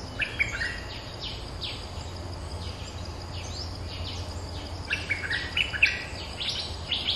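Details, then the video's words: Streak-eared bulbul, a territory holder answering lure calls: bursts of sharp, chirpy, downward-sweeping notes in loose clusters over steady low background rumble. "เสียงต่อนกดอกแตงEp.229 จ้าวถิ่นเถียงทุกคำ!! suara pikat merbah lekir gacor"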